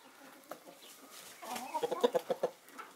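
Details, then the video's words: A flock of Naked Neck, Marans and Easter Egger chickens enjoying winter sunshine. Soft murmuring gives way to a quick run of about six sharp, evenly spaced clucks in the second half. "Chickens enjoy winter sun (Naked neck , marans , easter egger)"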